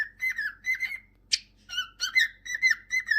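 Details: A pet cockatiel whistles sliding, melodious notes in quick succession, interrupted once by a brief harsh squawk, then carries on with wavering whistles in a bouncy rhythm.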